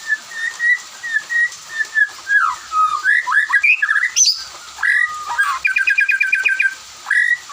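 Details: White-rumped shama singing in the afternoon, with other birds answering: varied clear whistled notes, slurred up and down, then a rapid run of about ten sharp repeated notes and more whistles.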